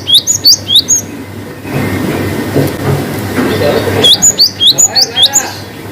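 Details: Cinereous tit in a long-whistle song variation used to stimulate reluctant birds: a short run of high sliding whistles, then a noisy gap, then a longer train of rapid high whistled notes.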